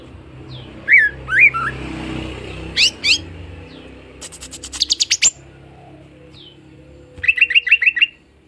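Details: Greater green leafbird, a fighter bird, singing to provoke other birds: scattered whistled slurs, sharp dry clicks, then a quick series of six bright repeated notes near the end.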